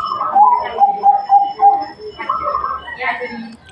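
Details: Local zebra dove singing: a run of short, soft, rhythmic cooing notes repeated quickly at a steady mid pitch, followed by broader, harsher sounds and a human voice in the background.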